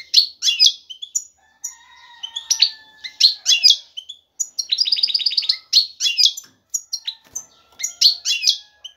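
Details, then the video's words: Breeding-ready male European goldfinch singing vigorously to call a female for mating and nest building; rapid high twitters, a fast even trill near the middle, and sharp chirps throughout. "ذكر الحسون جاهز, يبحث على الانثى للتزاوج"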